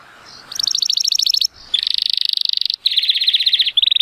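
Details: Timbrado Español canary, 83-point male hatched in 2018, singing on a sunny day; fast pulsed metallic trills in three bursts separated by brief pauses, with faint background hiss.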